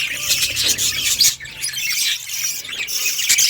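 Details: Budgies warble in a dense, high, scratchy chatter with brief pauses and no background hum.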